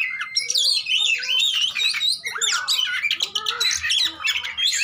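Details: Fighting oriental magpie-robins, a recording meant to provoke a bird that has stopped singing: crowded bursts of sharp whistles, chattering phrases and a few lower slurred notes, loud and nearly continuous.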